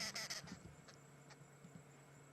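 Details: Arrow-marked Babblers on an afternoon safari drive in the Sabi Sands area, August 30, 2016, possibly starting to mob a nearby animal, give a harsh, raucous half-second burst of chattering, then a few fainter scattered calls over steady hiss.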